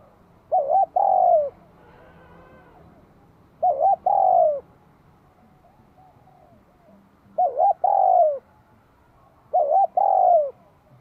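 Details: Bell-voiced song of a spotted dove in Vietnam, greeting the spring of 2023: four repeated phrases at uneven gaps of two to four seconds, each a brief wavering coo and then a drawn-out coo falling at the end.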